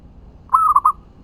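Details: Zebra dove cooing a single short phrase of three or four soft, rolling mid-pitched notes, used as a lure to provoke other doves to respond, against a quiet background.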